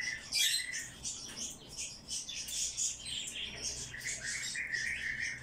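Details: Captive bird chick begging while being hand-fed, giving rapid high-pitched cheeps and squeaky chirps in uneven bursts, loudest at the start, over quiet indoor background.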